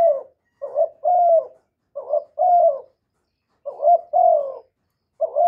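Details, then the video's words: Loud young male spotted dove calling: hoarse low coo phrases, each a short paired note then a longer drawn, slightly falling coo, four phrases at a fairly even pace, otherwise silent. "Tiếng chim cu đất gáy lớn tiếng, cu gáy thúc, cu gáy gọi, cu trống tơ gáy to, cu cườm gáy,cu đất gáy"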